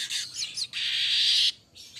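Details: A golden-headed weaver (manyar kepala emas) gives its lively training song: quick chattering chirps, then a long dry sizzling buzz about a second long, then a short buzzy note.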